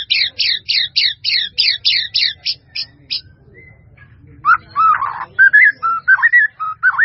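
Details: White-rumped shama, a masteran recording: a long run of rapid high down-slurred notes repeated evenly, a brief pause, then lower warbled and whistled phrases with buzzy texture.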